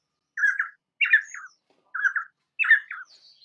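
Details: Painted spurfowl song from peninsular India's rocky scrub: two rough, squawking double phrases, each a grating note followed by a descending slurred one, spaced about a second apart, with a faint high trill at the end.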